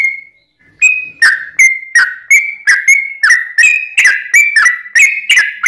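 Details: A single thin whistle opens this sooty-headed bulbul lure song. After a short silence, a regular train of bright whistled notes, about three per second, builds and grows slightly busier toward the end.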